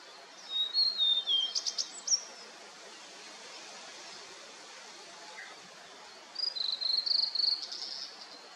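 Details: Blue-and-white flycatcher on a foggy mountain just after rain, singing two high phrases of clear, sliding whistles that end in quick, harsher notes, several seconds apart, over a steady background hiss.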